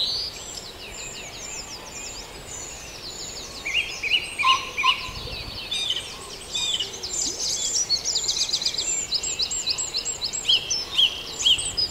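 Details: Dawn chorus of wild birds at Farndale: several songbirds singing at once in a dense, overlapping tangle of high chirps, trills and sharp whistled notes, rising in busyness after the first few seconds, with a faint low background hiss.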